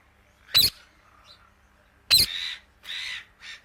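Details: Indian ringneck parakeet giving two sharp, shrill squawks, the second trailing into drawn-out raspy calls, with quiet gaps between them.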